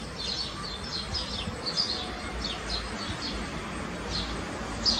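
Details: Pair of Eurasian blue tits shuttling to a nest box to feed nestlings roughly once a minute; series of thin, high, down-slurred chirps scattered across the clip above a constant low rumble.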